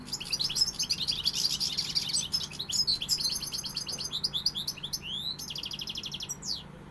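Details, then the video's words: European goldfinch delivering pegada song: a rich, rapid tumble of twittering and buzzy trills, ending in quick sweeping upslurred whistles and a rattling series. "Jilguero pegada"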